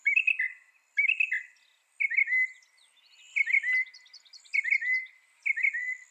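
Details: Mockingbird giving a slurred, warbling two-part phrase roughly once a second, several times in a row, with faint high twittering in between.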